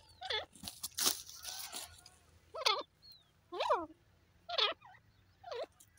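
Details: Squeaky, wavering chirps from a young grey francolin, spaced about a second apart, preceded by loud bursts of handling noise.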